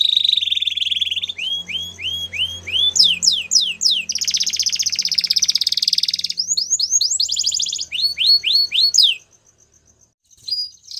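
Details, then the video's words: Singing Belgian canary moving through varied tours: a low warbled trill, rising curved whistles, sharp falling sweeps, a long buzzy rattle, more rolling upslurred notes, then near silence with a few faint final notes. "Canary Bird Singing | Belgian Canary"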